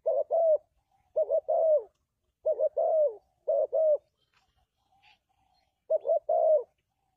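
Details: Spotted dove (tekukur) calling, a clean call suited for luring doves into traps. Soft, low, throaty coos come in clusters of two or three notes, with five phrases separated by short silences. There is a faint high chirp once; otherwise the recording is quiet.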